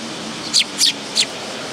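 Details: At a bench feeding spot at a Tenmangu shrine, 10 August 2022, a willow tit gives three bright, high, slightly buzzy notes in quick succession.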